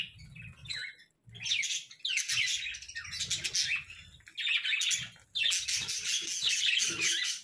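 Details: Budgerigars chirping in the morning, bursts of fast, buzzy warbling chatter broken by short pauses, with low bumping sounds in the background.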